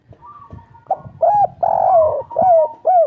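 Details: Local spotted dove of the three-note "kuk 3" style, with a soft, lively voice: mellow low coos in quick hooked phrases, several notes in about three seconds, over a faint steady background tone.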